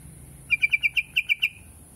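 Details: Yellow-vented bulbul: one fast, bubbling phrase of eight crisp, evenly spaced notes, lasting about a second, against a faint high hiss and low hum.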